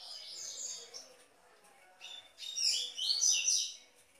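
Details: Tui Tui song of a double-collared seedeater, a complete strong song for conditioning captive birds; high buzzy warbled phrases at the start and a louder tumbling sequence in the second half over a faint hiss.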